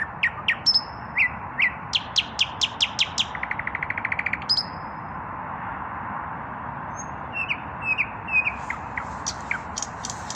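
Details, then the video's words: Common nightingale male, still without a mate, pouring out its evening song: loud repeated sharp descending strokes speeding into a fast buzzy rattle and a clear whistle, a pause, then softer chirped phrases over a low continuous hum. "Наслаждаюсь вечерней песней соловья"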